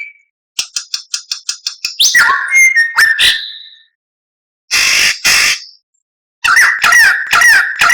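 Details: Varied White-rumped shama masteran song: a quick series of clicky ticks, then rich whistled and slurred phrases, two loud harsh bursts after a pause, and a closing run of buzzy whistles.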